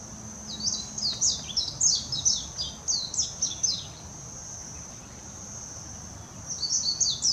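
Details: Warbling white-eye in song near Hashimoto, Wakayama, Japan, 26 June 2021, Nikon Coolpix P900: a fast tumbling burst of sharp, high, downward-slurred notes lasting about three seconds, a pause, then a shorter burst, over a constant high-pitched drone.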